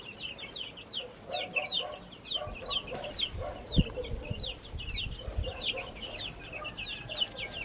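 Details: Baby chickens in a backyard flock chirp loudly and insistently. The high falling peeps come several per second, with bursts of lower rapid clucks and an occasional knock.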